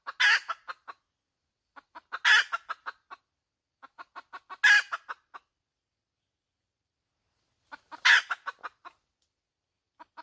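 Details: Hen (chicken) calling: a run of short, clipped clucks builds into a loud, harsh, broadband squawk. The pattern repeats four times, about every two seconds, with quiet gaps between.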